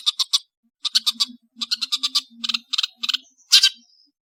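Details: Rufous-backed or long-tailed shrike singing: rapid trains of clicking, rattling notes in groups of three to five, ending in a louder harsh burst and a thin whistle, with a faint low tone underneath.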